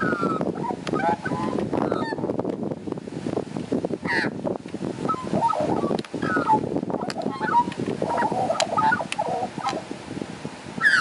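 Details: Two Australian magpies waiting outside a door for lunch, 15 June 2013: harsh, nasal, honking calls almost without pause, broken by short fluted warbles and a few sharp clicks.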